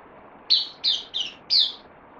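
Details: Kept bulbul, a newly arrived bird on loan, 12 September 2020: four sharp, bright chirped notes, each falling slightly in pitch, spaced about a third of a second apart, over faint room hiss.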